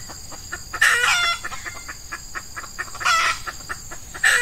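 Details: Red junglefowl at a decoy-hen lure in early morning in Ramadan, breeding season, hot weather; loud harsh bursts near the start and middle, separated by a fast series of dry clucking notes, with a constant high insect drone.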